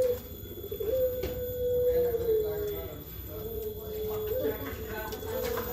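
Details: Turtle dove (puter pelung) uttering a sustained low coo that slides gently downward, then a second long flat coo with a small rising flick at the end.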